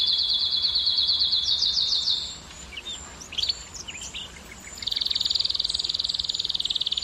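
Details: ['Canary singing to encourage hens to mate: a high fast trill, a short gap with a few thin rising notes, then a loud sustained very high rattling trill.']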